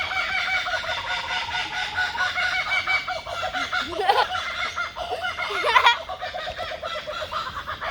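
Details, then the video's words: Kookaburra hidden among tree branches near the coastal walk from Bondi to Coogee, Sydney, Australia, its call likened to a man's laughter: loud, rising and falling cackling notes tumbling in a rhythmic series, with people talking nearby. "Donc cet oiseau, c'est le kookaburra. On l'avait déjà entendu à Byron Bay, c'est vraiment marrant."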